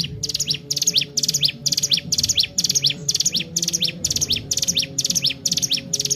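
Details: Sunda warbler (ciblek gunung) in vigorous song for training other birds: a long unbroken run of high, fast chirping phrases repeated about twice a second, each with quick upward-sweeping notes, steady hum beneath.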